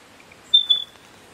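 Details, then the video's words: Spotted Pardalote (Pardalotus punctatus) singing in a backyard in September 2022: a high, thin, pure whistle in two quick linked notes, lasting about a third of a second; otherwise quiet. "Spotted Pardalote (Pardalotus punctatus)"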